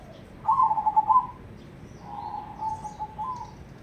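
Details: Cemani-coloured crossbred zebra dove giving a ketekdobel-rhythm song: a throbbing low coo with rapid beats, a pause, then a longer, steadier, softer coo ending with a slight lift, over a low hum.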